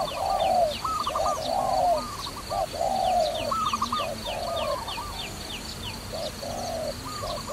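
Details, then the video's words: A dove in a trapping context coos repeatedly, long mellow notes broken by short ones, alongside a higher trembling call and a continuous series of sharp high chirps. "Trapping Dove"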